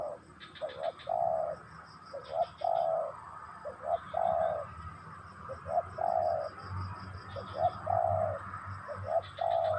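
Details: Tekukur, or spotted dove, giving steady low cooing phrases: soft hollow notes, short then drawn-out, repeated through the recording, while thin high twitters from other small birds sound intermittently.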